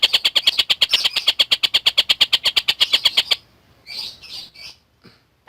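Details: Collared kingfisher used to tutor lovebirds, giving a quick train of piercing, evenly spaced high notes for over three seconds, then stopping, followed by a few scattered softer chirps.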